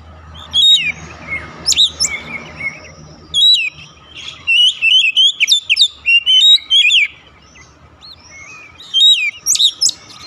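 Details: Oriental magpie-robin song played as a lure to get a silent bird singing steadily: loud bursts of varied sharp whistles, slurred up-and-down phrases and chattering notes, separated by short pauses, over a faint low hum.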